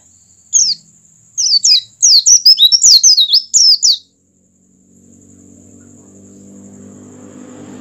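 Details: An Oriental white-eye sings to encourage other white-eyes to open their beaks: a four-second flurry of quick, high, twittering chirps, then a low droning hum rising in the background after the song stops.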